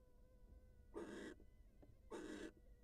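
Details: A wild barn owl female greets her mate on leaving the nest: two coarse, wheezy hiss bursts just over a second apart, with faint steady whistling tones and a soft click between.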